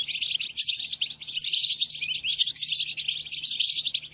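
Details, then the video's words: European goldfinch song for tutoring caged goldfinches during moult, steady rapid twitter of bright, high, metallic notes mixed with short buzzes, running without pause. "قدم هذه الآصوات لطائرك الحسون"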